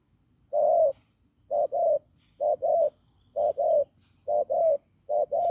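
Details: Wild-caught field spotted dove with a hoarse, strong voice giving its low coo: paired hollow notes, a short one then a slightly longer one, repeated roughly every second.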